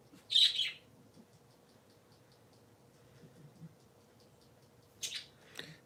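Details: Pet parakeets, three kept together, on a Sunday morning: a loud, high chirping burst at the start, a near-silent pause with faint soft ticks, then two sharp high chirps near the end.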